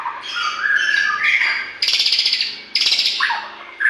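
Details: Loud white-rumped shama song meant to make caged birds sing: rising warbled phrases followed by two harsh, buzzy rattling bursts and a closing sharp note.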